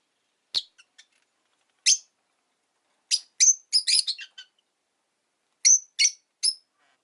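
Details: Rosy-faced lovebirds, five kept in a cage by a window during a calm afternoon, calling with scattered piercing high chirps, a brief chattering flurry midway, then three spaced shrill tweets.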